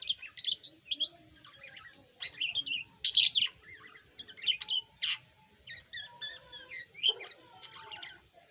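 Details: A yellow budgerigar that used to be mute now chatters in a steady warble of short chirps, scratchy bursts and a few loud clicks, spaced by short quiet gaps.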